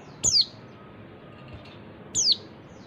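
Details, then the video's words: Two high, piercing descending notes from a female oriental white-eye, about two seconds apart, a lure call for silent or group-kept males, over steady faint hiss. "suara pleci betina bikin jantan bongkar isian"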